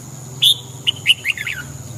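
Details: One short morning phrase from a red-whiskered bulbul: a loud clear whistled opening note, then several quick descending warbled notes, over a faint constant high tone and soft low hum.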